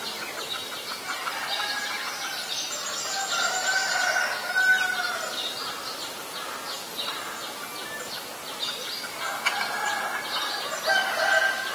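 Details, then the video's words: White-vented myna, recorded in Ubon Ratchathani, Thailand, on 11 January 2021: steady stream of harsh chattering notes mixed with brief clear whistles, rising and falling in loudness, continuing without pause. "นกเอี้ยงหงอน หรือนกเอี้ยงดำ (White-vented Myna)"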